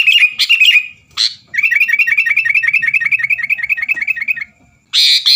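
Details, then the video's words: Sooty-headed bulbul singing to provoke rivals. A few bubbly chirps lead into a long, rapid trill of repeated high notes lasting about three seconds. After a brief silence, it ends with a loud, harsh burst. "burung kutilang gacor bikin lawan lngsung emosi dan ikut gacor"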